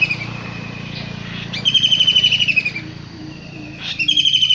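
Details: Wild long-tailed shrike giving a grating, rasping burst and the start of another, partly masked by steady low background noise.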